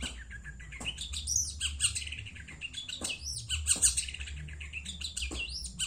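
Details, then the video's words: Long-tailed shrike of Madura stock, described as a keen, frequent singer: bursts of sharp, high chirps and rising whistled notes in quick irregular runs, with a steady low hum underneath. "burung cendet madura asli gacor"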